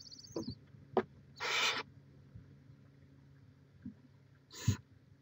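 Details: At a Chula Vista, California barn owl nest, 18 May 2017: a brief thin squeak, then one raspy hiss and a shorter second hiss, with scattered clicks and taps in a quiet background.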